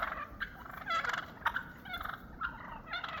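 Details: Flock of wild turkeys gathering after a snow storm, sorting out their pecking order after months apart; a series of rough, rattling gobbles and short clucks at uneven intervals, over steady low background rumble.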